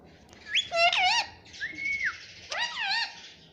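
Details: Rose-ringed parakeet kept as a talking pet, taught "mummy" and "papa": wavering harmonic speech-like phrases, a flat held tone in between, then another warbled phrase over low room hum.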